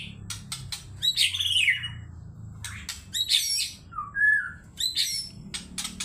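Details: Agitated white-rumped shama singing in a lively burst meant to provoke other birds: loud, varied phrases of rapid sweeping and buzzy notes with sharp clicks, then two clear whistled notes, another rich phrase and a run of short ticks.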